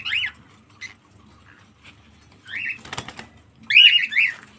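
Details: Cockatiel kept as a pet bird, giving short, harsh chirping calls in brief bursts of two or three notes, separated by quiet gaps, with a rattling clatter midway.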